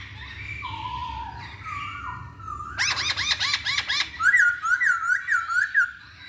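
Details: Masked laughingthrush singing as a lure for other birds: gentle stepped whistles, then a rapid burst of harsh, repeated notes, followed by a bright series of short rising whistles about twice a second.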